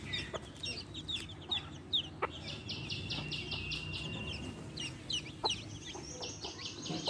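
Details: Baby chicks with their hen: quiet, rapid runs of high peeping chirps, a steady series in the middle and another toward the end, over constant low background noise with occasional clicks.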